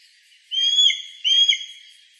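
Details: Mountain hawk-eagle recorded on 27 September 2017 in Shirataka, Yamagata, Japan; two loud, clear whistled notes, each slightly rising and then flattening, about three-quarters of a second apart, against a soft background hiss.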